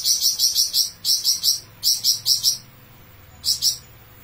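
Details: Flamboyan bird in full song, giving a long "besetan" sequence: very high, shrill clusters of two to four rapid piercing notes, repeated in bursts with short pauses.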